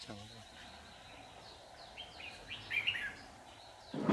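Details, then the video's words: Red-whiskered bulbul used as a decoy to lure wild bulbuls into a trap, recorded 15 July 2019: faint whistled phrases rising and falling, strongest near the end, with men talking quietly at the start and finish. "Bẫy chào mào Má trắng Max hài ngày 15/7/2019"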